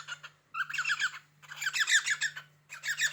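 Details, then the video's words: Pet cockatiel indoors on a cupboard, reacting to a finger scraping the cupboard door, gives three bursts of harsh, scratchy, rapid chattering and creaking, with a steady low electrical hum behind. "Корелла Ричик свистит и скрипит на шкафчике"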